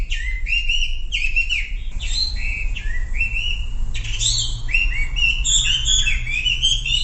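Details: Sumatran leafbird song played as a lure to get silent leafbirds singing: a continuous run of sweet, varied whistles, slurred upward notes and quick chattering trills, phrases tumbling one after another over a steady low hum.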